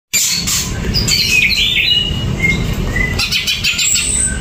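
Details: An energetic greater green leafbird, singing without banana or cage cover, gives a busy run of high whistled and chattering notes with quick slurred phrases, over a steady low rumble.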